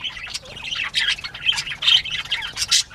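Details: Several northern bobwhites at play on 19 April 2017, 10:13 AM, give a busy chatter of overlapping high chirps and scratchy squawks, with a louder burst roughly every second.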